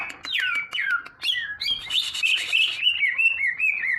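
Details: Leafbird song: rich, varied whistled phrases sliding up and down, fast warbling runs and repeated looping notes flowing continuously, with a brief noisy burst in the middle.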